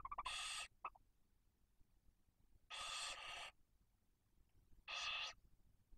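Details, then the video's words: Barn owl nest in Cabañeros National Park, Spain, with a female and chicks aged one and four days, prey delivery time: three drawn-out harsh hissing screeches spaced about two seconds apart, with a couple of brief clipped notes. "¡CEBA PRECIOSA! y explícita 😬 - Lechuza común -"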